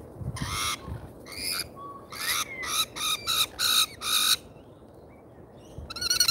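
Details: Lorikeets at a feeder in Australia, giving a run of harsh, buzzy, broadband screeches in short bursts, about eight in quick succession, then a pause before one more shrill call, with quiet rustling below.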